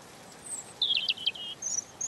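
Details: Short phrase of high, sweet whistled notes from a European robin, several sliding pitch-changes bunched together, with fainter very high thin notes before and after.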